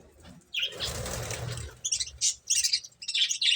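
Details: A soft whirring rush of wingbeats from finches at their food gives way to a few clear, high, short chirp clusters near the end.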